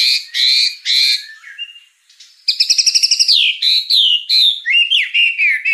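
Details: White-rumped shama tutor recording for juvenile spotted birds: two loud raspy buzzes, a short gap, then a fast stuttering rattle and sweeping slurred whistles.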